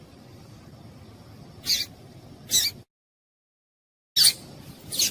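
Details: Female papa-capim (seedeater) calling to stimulate males: four short, sharp, high chips in two pairs, separated by a brief silent gap, over faint background hiss.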